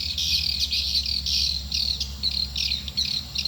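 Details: Shrill, continuous swiftlet twitter with quick rising and falling chirps, played to attract swiftlets to a nest building; a low hum runs underneath.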